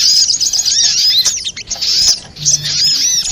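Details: Sogok ontong spiderhunter calls for trapping lure: a long run of shrill chattering chirps, a short drop in intensity, then more high twittering notes.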